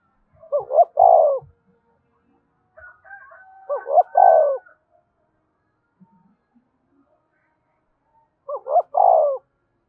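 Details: Spotted dove singing for captive birds to answer: three three-note coo phrases, each two quick rising notes and a drawn-out descending hoot, spaced about three to four seconds apart, with faint whistling between.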